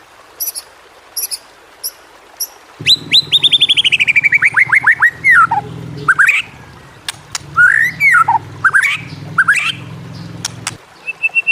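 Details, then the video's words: White-rumped shama training song to encourage reluctant shamas to sing: a fast descending cascade of repeated whistled notes, then looping whistles and sharp clicks over a steady low hum. "masteran burung murai"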